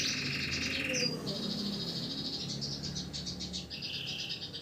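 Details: Canary kept as a tutor bird, still singing vigorously at night: a fast mid-pitched trill, a brief sharp note, then a string of high buzzy rolling trills in quick changing phrases over low background hum.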